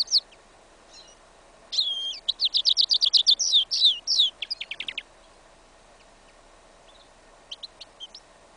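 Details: A goldfinch × yellow isabella canary hybrid, recorded outdoors in a field in winter on 11 January 2015, sings an incomplete song: a fast, bright three-second burst of high twittering and rattling trills, then sparse chips over a steady low hum.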